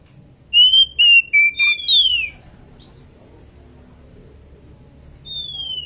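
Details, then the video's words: Oriental magpie-robin female in breeding condition calling its companion; a burst of five clear whistled notes stepping lower, a sharper downslurred note, then silence before one long falling whistle. "burung Kacer betina gacor birahi memanggil temannya"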